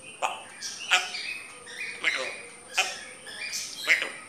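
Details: Grey parrot producing speech-like phrases, short bursts of mimicked words alternating with sharp clicks and chirps roughly every second, over a faint constant high tone.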